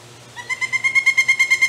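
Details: Pileated Woodpecker chicks in their nest cavity in forest in Eastern Ontario, Canada, June 2019, begging to be fed, give a fast, rattling series of harsh, nasal notes, about nine per second, growing louder.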